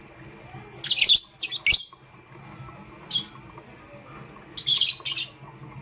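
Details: Pastel gray and green lovebirds calling in the morning: loud clusters of rasping, high chirps in two groups, separated by a short quiet spell with faint background hum.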